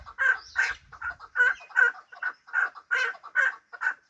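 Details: Hybrid chukar kept as a fighting bird, uttering loud rhythmic chuk notes in an unbroken run, each note short and raspy, some slightly doubled, with faint low rumbles early on.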